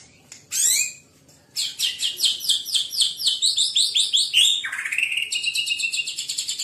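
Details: White-rumped shama singing fiercely and energetically: a loud opening phrase, a brief pause, then a fast run of high, bright, repeated notes with rising and falling sweeps, ending in a rapid chattering series. No other clear sounds.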